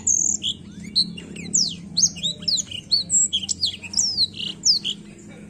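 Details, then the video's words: Black-throat delivering a fast, varied song: high thin whistles, steep downward slurs and twittering notes in quick succession, with a low background hum throughout. "a bela canção do pássaro blackthoat"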